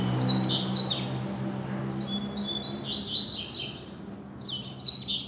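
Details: Loose double-collared seedeater singing in a street, a teacher bird: rapid high twittering phrases with sweeping whistled notes, one after another, over a steady low rumble of background noise.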